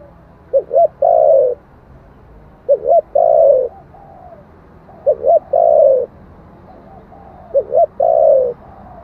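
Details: Spotted dove singing in 'thổ' style, used to attract wild doves. Four evenly spaced phrases about 2.5 seconds apart, each two quick, rounded notes and then a long, falling coo, with softer trailing coos between.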